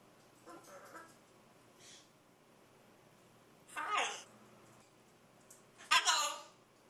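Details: Macaw chatting away: a few soft, speech-like mumbles, a raspy burst, then a loud harsh squawk near the end over a faint steady hum.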